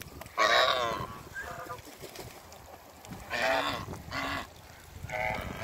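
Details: A pair of African geese met on a farm call loudly: a long, bright, harsh honk at the start, then three shorter strong honks in quick succession near the end, with quieter noise between.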